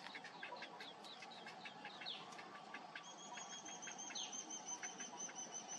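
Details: Cinnamon bittern chick begging as a parent feeds it: rapid, scratchy chirps repeated about three times a second, with a thin, steady high whistle from another bird running through the second half.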